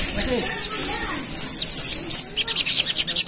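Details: Agitated, provoked pied fantail in the fast 'ngerap' style: high, clear, down-slurred whistles about twice a second, then a quick burst of short sharp ticking notes at the end.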